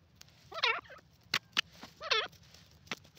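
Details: ['Grey francolin call: two loud, wavering, harmonic notes that rise and fall, separated by sharp clicking taps, over a low steady hum.']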